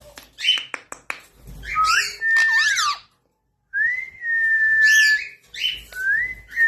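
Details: Indian ringneck parrot talking, saying hello: clear whistled, speech-like phrases with sliding and level tones, several sharp clicks at the start, a brief silence, then a longer steady phrase and a rising final note.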